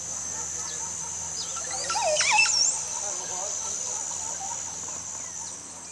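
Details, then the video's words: Montezuma oropendola in Costa Rica, swinging around its branch as it sings: after quiet background, one short burst of bubbling, gurgled notes and sliding whistles, over a constant high-pitched insect drone with faint low rumble. "Le chant de l'oiseau Oropendola (Cassique de Montezuma)"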